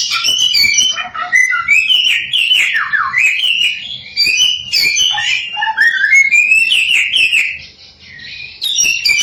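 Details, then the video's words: Chinese hwamei, locally samyong, singing an endless varied song used to stir other samyong to sing: fluty whistles, downward slurs and dense chattering trills, with a short lull near the end. "Burung 1001 Suara SAMYONG GACOR, Bikin Samyong Lain Emosi & Ikut Gacor.."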